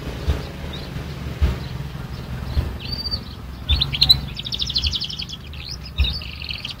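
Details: Young canary learning to sing: after scattered thin notes, a run of quick high trills and whistled phrases fills the second half, rising and falling. A steady low hum runs underneath throughout.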